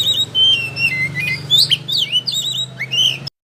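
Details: Lively Oriental magpie-robin song, tail fully opened, meant to teach other birds: clear sliding whistles, some long and level, others sharply upswept, strung together without pause over a faint low drone, ending abruptly.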